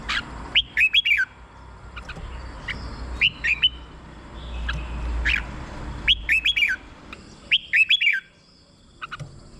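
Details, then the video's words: Red-whiskered bulbul singing, used to rouse caged birds or as a decoy; short, lively whistled phrases of three or four chirpy, warbling notes recur every one to two seconds over faint low background hum. "เสียงนกกรงหัวจุก สำหรับต่อ หรือ เปิดให้นกคึก เสียงเพราะๆ"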